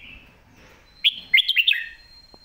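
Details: A lak wai style model song (mae bot) from a red-whiskered bulbul: a brief soft whistle, then a lively burst of five or six liquid, up-and-down whistled notes ending lower, with a faint steady high tone behind.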